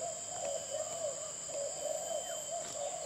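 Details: Spotted dove cooing, a soft low rolling series of about ten hollow coos in a steady rhythm, over a constant high electrical hum and background hiss.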